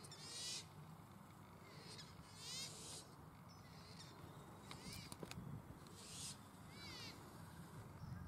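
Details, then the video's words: Australasian swamphen, or pukeko, filmed in Waterford park, Christchurch, April 2019. Loud nasal screeches, each with a stack of harmonics, break out in separate bursts spread through the recording, with a steady background rumble and faint clicks. "Pukeko (Australasian Swamphen)"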